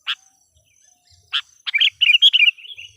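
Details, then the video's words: Decoy sooty-headed bulbul calling wild bulbuls: two isolated sharp notes, then a rapid tumbling run of liquid chirps that trails off at the end. "suara burung KUTILANG PIKAT gacor/suara PIKAT KUTILANG gacor memanggil kutilang liar"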